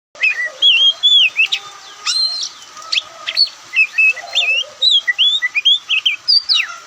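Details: Oriental magpie-robin, the white-breasted form locally called Kacer Poci, in a relaxed singing bout: a dense, varied run of loud whistled slurs and sharp chirps, rising and falling, packed at more than two phrases a second.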